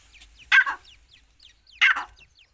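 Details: Two coarse, raspy bursts from a female grey francolin (dakhni teetar), a little over a second apart, during the chicks season. Light, high-pitched twittering of small birds fills the gaps.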